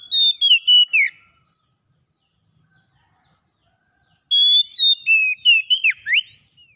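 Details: Oriental magpie-robin singing wild-style 'ngalas' to restore a bird that has stopped singing: a short phrase of strong whistled notes, about three seconds of near silence, then a longer run of bright whistles and steep downward sweeps.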